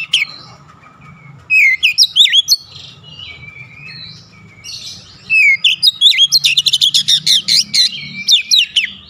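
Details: Oriental magpie-robin (kacer) in aggressive shooting song: varied whistled, looping phrases, then a long run of rapid, evenly repeated sharp notes, a steady low hum behind.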